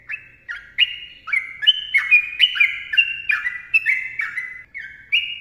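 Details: Sooty-headed bulbul singing a lively, long rapid song in the gacor ropel panjang mbonang style, used as a training and lure recording: clear whistled notes that step and slide between two pitches, delivered about twice a second without pause.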